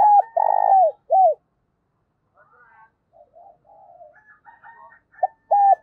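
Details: A decoy Spotted dove coos in the morning to call its flock. A rolling coo and a falling note open the recording, then softer mixed chatter, then a clipped coo phrase at the end.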